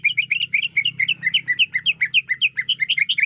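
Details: Female greater green leafbird in breeding condition, calling to a male, delivers an unbroken series of quick, sweet chirps at a steady pace, each note swinging up then down, continuing throughout.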